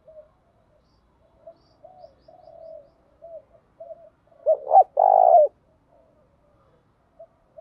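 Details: Large spotted dove in the thổ voice, stirred to fight. Scattered quiet low coos, then one loud phrase of two sharp rising notes and a long rough coo, then near silence.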